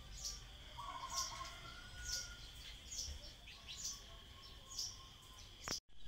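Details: Common tailorbird, locally called ចាបតេត, giving loud high notes repeated roughly once a second in a steady series, with a faint steady tone and softer background bird chirps beneath; a brief thump near the end.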